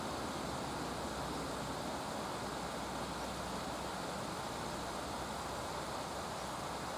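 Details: Steady broadband rushing of river water or wind, with no animal calls standing out.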